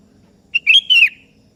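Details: Sooty-headed bulbul, kebo type, singing to a rival which joins in: a clear bubbling three-note whistle, short first note, then two fluty notes with a final downward glide.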